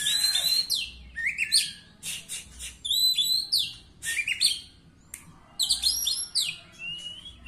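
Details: Oriental magpie-robin at a singing contest, placed third, singing clear high whistled phrases that slide and step in pitch, mixed with scratchy buzzy notes, in bursts every second or so over low background noise.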